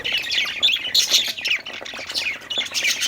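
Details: Happy budgerigars playing and chirping, a dense stream of warbled chirps, squeaks and chattering trills from several birds with no pauses.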